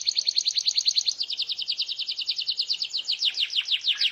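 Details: Canary singing to prompt other canaries to answer, a fast even trill of high notes that shifts into quick descending whistled slurs near the end.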